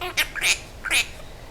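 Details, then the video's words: Pet Quaker parrot speaking in a small room, three squawky, slurred syllables, the second and third strongest and separated by a short pause, as the owner praises it as a pretty bird. "The Talking Quaker Parrot"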